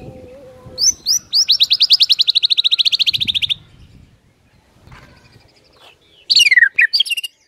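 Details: White-rumped shama song from a morning lure meant to get birds singing: a long, rapid buzzy trill of about thirty even notes, then a quiet gap and a burst of harsh, scratchy descending notes.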